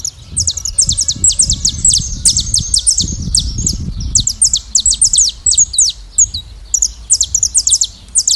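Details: Saffron finches singing free in nature as a flock: dense, high, sharp chirps and short twittering notes that overlap rapidly throughout, with a low rumbling background noise in the first half.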